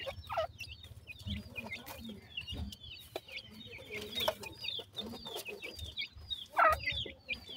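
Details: Partridge chicks at feeding time giving scattered high peeping notes, some falling, some rising, quieter and sparser than a full chorus, with a few louder bursts and a low mechanical hum beneath.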